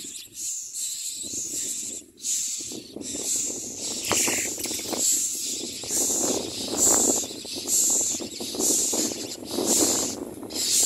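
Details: Common myna chick being fed by a parent, giving harsh, hissing begging bursts about once a second, steady and insistent, over a low rustling background with a few faint chirps.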